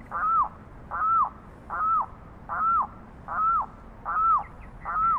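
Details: Carrao, or Limpkin, calling in a steady series of seven arched, wailing notes, one roughly every 0.8 seconds, clear and evenly repeated.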